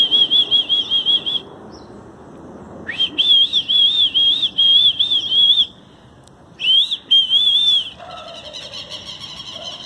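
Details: Southern lapwings flying overhead give shrill, high, rapidly pulsing call series in three bursts, each lasting a second or more, and then fly off; a voice is faintly heard near the end.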